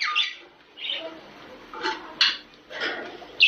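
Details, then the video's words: Budgerigar sounds meant to stimulate breeding: scattered, fairly soft chirps and squawky notes about once a second, with quieter warbling between them. "واقوي صوت محفز للتزاوج البادجي"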